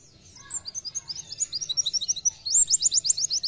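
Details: Oriental white-eye in nembak-style gacor singing: an accelerating string of high, thin chirps leading into a loud run of about eight repeated downslurred notes.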